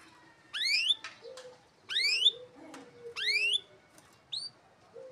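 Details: A gacor (prolific-singing) canary used as a tutor and lure song for young canaries gives phrases of bright, rising whistled notes, repeated about every second and a half.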